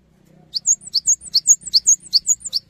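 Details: Cinereous tit singing to encourage other tits to join in: brisk alternating high pips and short level whistles, repeated about six times, with a quiet low rumble beneath.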